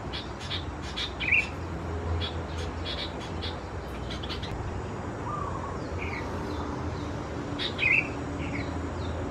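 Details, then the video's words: Young Sooty-headed Bulbuls (Pycnonotus aurigaster thais) at Khao Yoi, Phetchaburi, Thailand, on 17–20 June 2020, give scattered short, high chirps, with two brighter squeaky notes standing out, over a steady low background rumble. "นกปรอดหัวสีเขม่าวัยอ่อน Sooty-headed Bulbul chicks"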